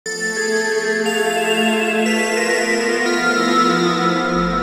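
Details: Sustained ambient synthesizer music with layered droning tones and no animal voices.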